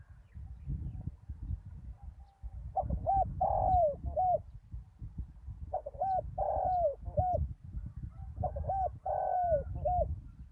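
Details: Spotted dove decoy working a bare-earth lure site after a storm repeats its three-part coo three times, about every three seconds. Each phrase is a short hooked note, a long falling coo and a closing hooked note, over constant low rumble.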